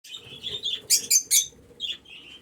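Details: Budgerigars in an aviary giving warbling chirps and a few sharp high squeaks over a soft low background hum.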